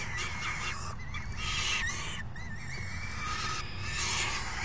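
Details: Falcon chicks clamour for food as an adult brings dinner on 3 June 2018. Wavering whines and looping squeals come between scratchy rasps, with a steady low hum throughout.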